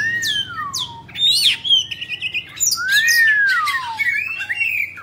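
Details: Oriental magpie-robin kept as a cage bird, singing while fanning its tail: long clear whistles sliding downward, with sharp upswept notes and buzzy chattering phrases between, against a low background hum.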